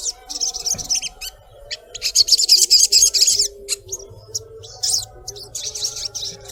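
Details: Female collared kingfisher calling the male: repeated grating, high buzzy notes in quick rows, a loud chattering burst in the middle and another short run toward the end, with soft low hum behind.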